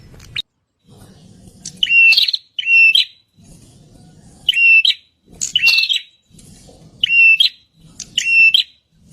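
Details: Wild prinia filmed through a phone scope, calling in loud paired bursts of buzzy, scratchy high notes repeated every couple of seconds, with quiet low rumbling between phrases.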